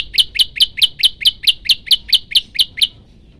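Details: Loud, rapid series of thirteen bright, high-pitched chip notes from a hungry, actively singing Olive-backed Tailorbird in the long-shot variation. The notes come evenly, almost five per second, before stopping abruptly.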